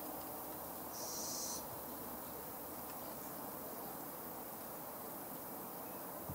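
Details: Fledgling little owl giving a single drawn-out, breathy hiss lasting about half a second, high and rasping, over steady low rumbling background noise.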